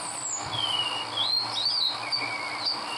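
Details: Olive-backed sunbird singing in the wild in Indonesia: a thin, high, twisting warble of sliding whistles and short rising notes, delivered almost continuously over low background hiss.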